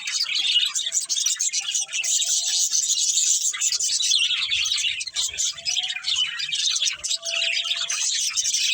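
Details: A family of budgerigars playing together, filling the air with a dense, continuous warbling chatter of high chirps and trills, with a few thin, steadier whistled notes drifting underneath.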